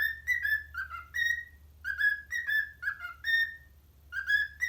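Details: Parrot whistling an Addams Family remix for its parrot friends: lively phrases of gliding, tonal whistled notes, some stepping downward, with a pause before a final rising run; low hum underneath.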